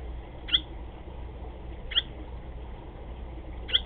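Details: A nesting barn swallow, recorded 20 July 2010 mid-afternoon, gives three short, sharp chirps spaced about one and a half seconds apart over a steady low hum.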